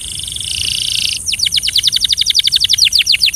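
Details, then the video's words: Belgian canary singing for training: a harsh buzzy trill for about a second, then a fast, regular series of high descending notes, around four per second. "The Best Belgian Canary Singing Sound"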